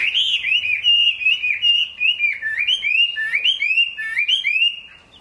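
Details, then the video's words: Chinese hwamei in the rain singing loud, fluid whistled phrases that slide up and down in quick succession with short pauses, then fade out at the close. "Họa mi hót trong mưa"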